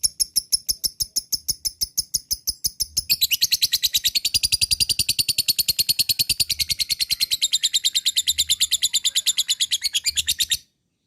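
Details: Lovebird sound used to provoke lazy birds into long 'ngekek' chattering. It opens with sharp, high chirps at about three per second, then after three seconds runs into a dense, continuous shrill chatter until the end.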